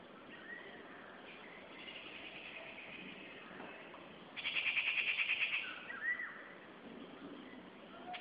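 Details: Rufous treepie calling: after a quiet stretch of faint background hiss, a loud harsh rattling burst lasts about a second and a half, followed by a few shorter rasping notes and a brief upslurred note.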